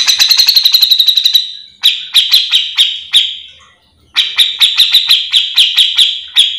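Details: Cucak jenggot, the grey-cheeked bulbul, in full continuous song meant for tutoring or provoking other birds of its kind: a fast rattling trill, then a steady series of sharp, slurred chip notes about four per second, a pause, and more.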